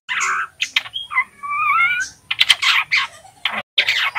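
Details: Juvenile male white-rumped shama learning its song: harsh noisy bursts mixed with a drawn-out whistled phrase carrying two parallel tones, then rapid scratchy notes and clicks.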